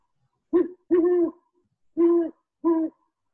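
Great horned owl giving four deep, mellow hoots: a short stuttering first note, a longer one, then a pause and two more evenly spaced hoots.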